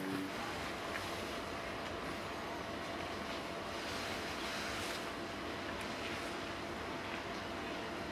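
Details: Continuous wind-like roar with a vehicle-like rumble, with no animal voice standing out.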